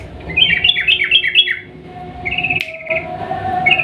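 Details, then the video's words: Long rapid 'ropel panjang' song of a sooty-headed bulbul, played to coax silent birds into singing: a quick run of looping chirps, then a brief pause and a steady trilled phrase, with a sharp click. "trucukan gacor ROPEL PANJANG pancingan burung trucuk yang macet bunyi agar ikut bunyi"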